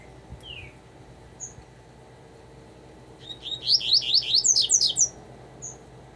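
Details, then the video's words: Double-collared seedeater song: a rapid run of buzzy, downslurred notes about two seconds long after scattered thin chips and a short descending whistle. "Coleiro tuitui"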